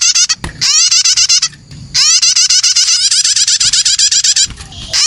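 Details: Young prinias (prenjak) calling, a sound used as a lure to attract other birds: rapid harsh buzzy chattering notes run together in long dense bursts, with a brief pause between two bursts.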